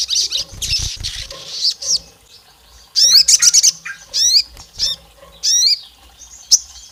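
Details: Olive-backed tailorbird, a female calling the male and provoking rival males: high, sharp downward-sweeping notes with harmonics, given singly and in short groups, mixed with brief chirps and faint low rustling.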